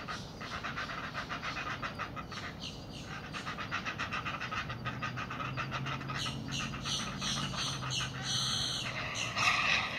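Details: Two Great Blue Heron chicks in their nest beg as a parent returns with food: a rapid, steady ticking clatter repeated several times a second, rising and falling in bursts over a low rumbling background hum.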